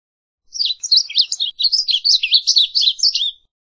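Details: A varied bunting delivers a continuous three-second jumble of rapid, high, slurred twittering notes rising and falling, then stops abruptly; a clean recording with no background noise.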